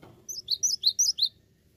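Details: Cinereous tit in vigorous song, three brisk repeated two-note phrases, high thin note falling to a lower sharp one, delivered rapidly over about one second against a quiet background.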